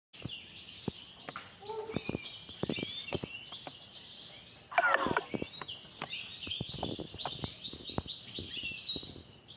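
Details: Grey-headed goldfinch gives a continuous, fast twittering song of high, tinkling, slurred notes, with clicks, bumps and a human voice in the background.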